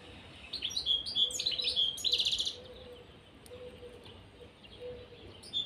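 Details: Caged pair of European serins delivering a fast, high, sizzling jingle of tinkling notes for about two seconds, then quieter, with a low hum pulsing in the background.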